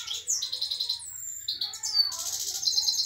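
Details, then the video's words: Himalayan goldfinch kept with a canary, delivering a rapid stream of bright twittering notes, sweeping whistles and buzzy trills without pause. "himalyan mast goldfinch singing with canary power full goldfinch"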